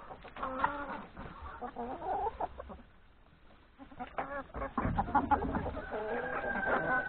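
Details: Chickens, including three roosters, feeding at breakfast in the yard before heading to graze in the forest; bursts of overlapping clucks around a quieter middle stretch, then a long level whining call at the end.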